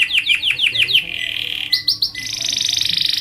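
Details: Canary song for tutoring and provoking other canaries: six rolling down-swept notes, a level whistled trill, three clipped chirps, then a high, fast, buzzy trill.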